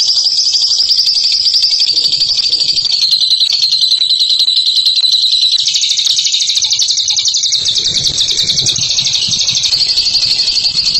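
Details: High, unbroken chattering trill of ngekek style, steady and fast for eleven seconds, dipping slightly in pitch mid-way and then rising again.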